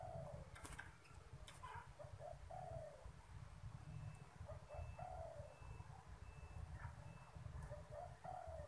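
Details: Caged spotted dove giving its cooing call as strangers arrive: a series of soft, low, mellow coo phrases, each short notes ending in a longer falling coo, repeated every couple of seconds, with faint high beeps and a constant low rumble behind.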